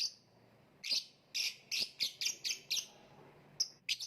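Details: Lovebird chirping rapidly in a loud series of shrill, harsh notes about three per second, then a couple of isolated sharp chirps at the end.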